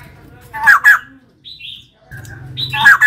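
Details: Female white-crested laughingthrush: two loud raspy notes, a brief high whistle, then more harsh chatter over a steady low hum.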